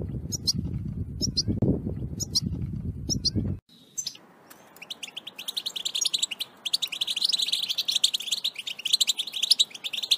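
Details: Wild European goldfinch singing in nature, 2021: after a few seconds of low rumbling handling noise, a rapid, tinkling twitter of high chirps and trills starts and runs without pause to the end.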